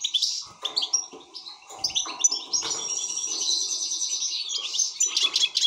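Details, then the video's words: Excited European goldfinch giving quick tinkling notes, then a long continuous buzzing trill and a final flurry of twitters. "حسون هائج"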